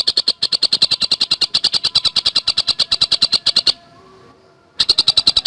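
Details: Javan cuckooshrike singing in fast, densely packed style, used as a tutor recording for cagebirds: a steady run of sharp, high chattering notes, about eight per second, breaking off for a second of near silence before resuming.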